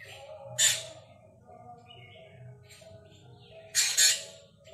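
Black drongo giving two harsh, rasping squawks about three seconds apart, the second a doubled burst, over a faint low hum.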